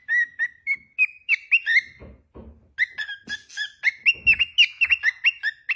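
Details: A pet cockatiel whistles a melody of rising, sliding notes that climb step by step, broken by soft low thumps before resuming with quick alternating whistles.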